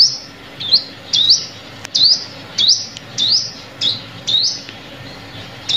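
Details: Sunbird chirps used as a trapping lure with lime sticks: thin, high notes that swoop upward, given in an uneven run of about ten, sometimes in quick pairs, with faint low background hum and occasional clicks.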